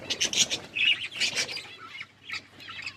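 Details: Budgerigars in winter rain give a brief flurry of rasping chirps with a short warbled note, then scattered quieter chirps.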